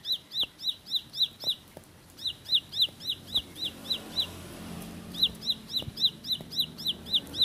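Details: Bar-winged prinia (ciblek) giving the rapid 'tembakan roll' song style: runs of high, bright, arched notes about four per second, broken by two short pauses, over low background hum and occasional clicks.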